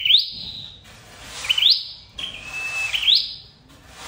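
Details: Red-headed flowerpecker call used as a lure for bird trapping: high thin notes with a flat held tone and a sharp rising upsweep, repeated about every one and a half seconds.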